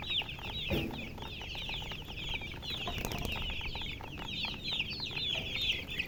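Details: Baby chicks chirping continuously, bright high peeps with quick up-and-down slurs overlapping from several birds, plus a few soft clicks and taps in the background.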